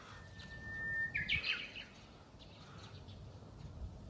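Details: Japanese bush warbler, newly begun singing at a waterside park on a morning of strong west wind: one long, steady whistled note, then a quick, bright, warbled flourish that rises and falls. Low wind rumble runs underneath.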